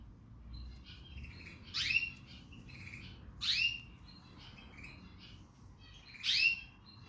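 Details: Canary song with loud buzzy, downward-sweeping bursts about every two seconds, separated by softer twittering and whistled phrases, faint low rumble beneath.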